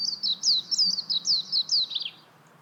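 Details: Short, bright burst of high chirping notes from a warbling white-eye, quick downward slurs run together over two seconds.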